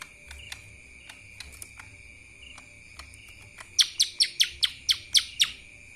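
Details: Kapas tembak song of a lesser green leafbird. After scattered soft ticks, a series of eight bright, sharp descending chirps comes at roughly four per second. A steady high-pitched hum runs underneath.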